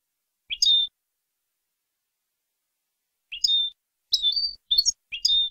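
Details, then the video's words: European goldfinch clean contest song in the 'copia' style, recorded in Málaga in April 2020 for teaching young birds: short bright chirped phrases with a rising twitter and a level whistled tail, separated by a long pause, then quick bursts near the end. "Nuevo canto del jilguero"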